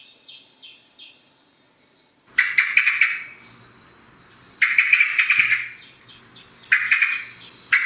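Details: Common blackbird singing in the morning: loud, rich warbled phrases about two seconds long, separated by short pauses, over thin high twittering from other small birds in the background.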